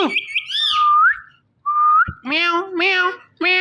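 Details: Pet ringneck parrot indoors, talking into a phone while watching itself; a clear whistle rising and falling, then a short upward-sliding whistle, followed by three drawn-out, nasal, meow-like mimicked calls.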